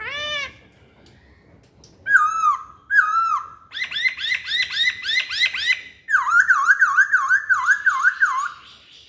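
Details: Masked laughingthrush singing as a lure: a brief rising note, two descending whistles, a dense run of quick arched notes, then a fast wavy series of repeated up-down whistles.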